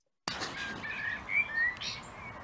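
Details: A male common blackbird (Turdus merula) sings mellow, fluted whistles in short warbled phrases up close, amid a busy chorus of other songbirds, with more blackbirds singing further away, in Ireland.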